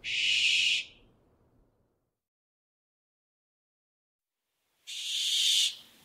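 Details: Two breathy, hissing shrieks of a barn owl, each under a second long, about four seconds apart with quiet between them.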